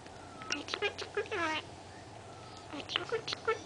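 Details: Three-year-old female Senegal parrot, a chatty indoor pet, delivers short clipped syllables and a bending, falling, harmonic, word-like call, then more brief chattering notes after a pause.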